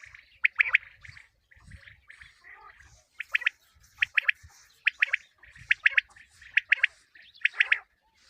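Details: Common quail calling, used for quail hunting in 2022: short three-note phrases, sharp and clipped, repeated roughly every second with brief pauses between phrases, and faint low rumbling in the background.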